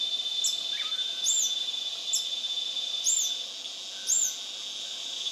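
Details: A lekking male Scale-throated Hermit, Phaethornis e. eurynome, at Intervales, Brazil, on 29 December 2019. Five high squeaky arched notes come about one second apart over a loud, continuous insect drone.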